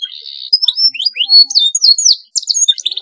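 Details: Rolling canary song used as a training master: a short buzzy trill, then varied rising and falling whistled slurs and chirps, ending in a rapid bright trill.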